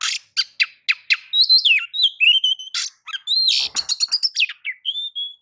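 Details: White-rumped shama song used to provoke singing in other birds: several harsh rasping notes, then rapid whistled phrases mixing clicks, slurs and a final level whistle.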